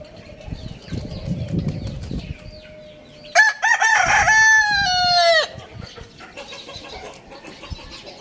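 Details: Rooster crowing in the morning in a farm village: one loud, harsh, strongly harmonic crow lasting about two seconds, rising then holding and cutting off sharply, set against quiet background chirping of small birds and low rumble.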